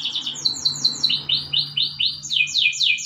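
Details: Morning training song of a canary, a run of quick descending chirps giving way to a series of rising-falling swept notes, about four per second, with a faint low hum behind.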